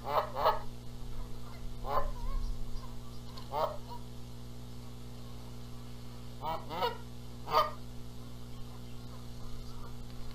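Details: Canada geese at a nest in Charlo, Montana, on April 14, 2022, squabbling over who sits on the eggs. Separate nasal honks come in pairs and singles, spaced by a second or more, against a steady low hum.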